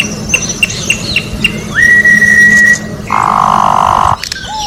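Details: Orange-backed troupial singing in nature: a few short sharp chips, then a long level whistled note, followed by a harsh, buzzy, nasal note about a second long and a brief whistle, with a low steady hum behind.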